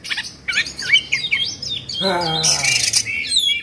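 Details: Kept Oriental magpie-robin in Indonesia, agitated and fluffing and spreading its tail. Quick varied whistled notes and slurs pour out rapidly, partly overlaid by a lower droning harmonic sound and a hissy burst in the middle.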